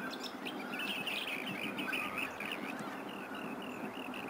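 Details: Rainbow bee-eaters gathering at Byron Bay, New South Wales, Australia, in August before the breeding season, feasting on bees; rapid repeated trilling chirps from several birds over steady background hiss.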